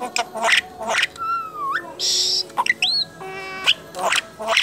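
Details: Contest-champion Asian pied starling singing a chatty mix of clear whistles, including a long low slur that rises sharply and a looping upward whistle, broken by harsh buzzy bursts, with faint music and voices behind.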